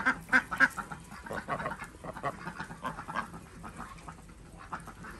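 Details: Domestic Desi ducks at a homemade village farm in Andhra Pradesh, morning egg collection: three loud, rasping quacks open, then a rapid string of softer, hoarse quacks fading toward the end.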